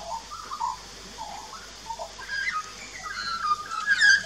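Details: At a backyard birdbath in Australia, an adult and a juvenile Australian magpie duet on 2 March 2018, filmed on a Nikon Coolpix P900: quiet, scattered warbled notes that grow into brighter, higher whistled phrases toward the end.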